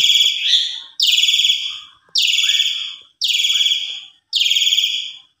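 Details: Javan pied starling used as a lure recording: five loud, grating, buzzy screeches, roughly one a second, each fading away, with faint softer notes between them.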